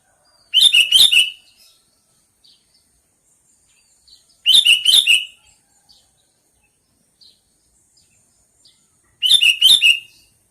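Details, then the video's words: Sooty-headed bulbul repeating a loud, bubbly chattering phrase three times, roughly every four seconds, with faint short notes in the pauses. "Suara burung kutilang panggilan"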